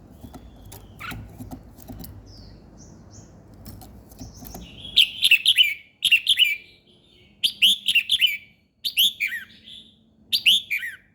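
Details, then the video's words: Bird singing in the morning: after scattered faint chirps over a low rumble, loud bursts of sharp descending chirps come about once a second, grouped in twos and threes, high and bright. "Buổi sáng nghe chim hót chơi"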